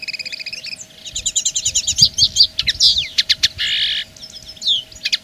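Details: Linnet song asserting territory: a run of rapid trilled, doubled notes, then sharp clicks and a brief buzzy burst, ending in thin rising and falling whistles over a faint steady background tone.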